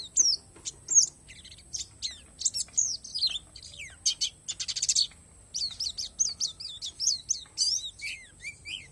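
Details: Oriental white-eye, palas Borneo variety, delivering isian alam song: varied high chirps and clicks, a dense buzzy burst in the middle, then a regular series of downslurred whistles ending in lower warbled notes.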